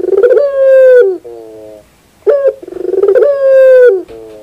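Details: A puter dove sings rhythmic rolling coos: a held falling coo, a softer low wavering tail, then a sharp note and another rapid pulsed roll leading into a second long coo.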